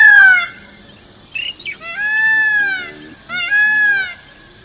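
Peafowl giving loud, nasal, arching wails, three long cries within about four seconds, each rising then falling, with a brief shorter note between.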